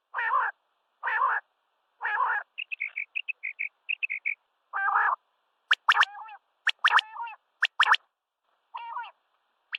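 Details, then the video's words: Common quail calling at sunrise: three broad, rasping calls about a second apart, a run of short high chirps, then sharp clipped triple notes mixed with lower buzzy phrases. "CALL COMMON QUAIL (Coturnix coturnix) Common Quail. Birds singing at sunrise | Batair Ki Awaz"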